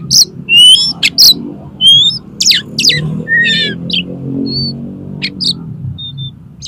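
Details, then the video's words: Oriental magpie-robin song played to tutor competition birds and coax them to sing: a varied mix of scratchy trills, sharp chips and clear whistles, ending in sparse thin notes, over a steady low hum. "SUARA KACER INI COCOK UNTUK MASTERAN DAN PANCINGAN KACER LOMBA AGAR MAU BUKA PARUH"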